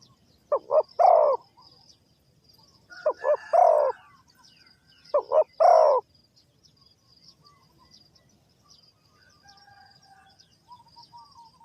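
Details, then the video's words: Spotted dove recorded at a Ninh Thuận bird trap, cooing three times at intervals of about two seconds. Each phrase is two clipped notes and a longer, rich coo. Quieter bird chirps continue after the calls stop. "The Sound Of A Spotted Dove is very good,Cu gáy Ninh Thuận"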